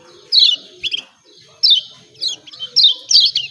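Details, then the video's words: Lombok yellow white-eye lure call for birds that won't sing: emphatic high chirps in separate short bursts, each note dropping in pitch, with gaps between. "CIAK CIAK JOSS KECIAL KUNING AMPUH||PANCINGAN KECIAL MALAS BUNYI||"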